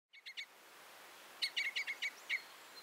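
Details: Red crossbill giving a brief double note, then after a pause a run of six sharp, clipped 'kip' notes at a steady pace, over quiet background hiss.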